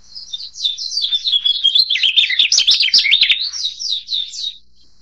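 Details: Narcissus flycatcher pouring out a continuous high warble, swooping whistles run together rapidly, ending in a few looping phrases before falling quiet.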